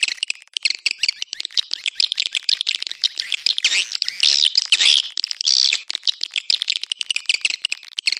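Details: Swiftlet calling sound of the Anak Muda style, played to attract swiftlets: unbroken, fast, high chittering of tiny rapid pulses that swells into louder buzzy twitters midway, then thins again.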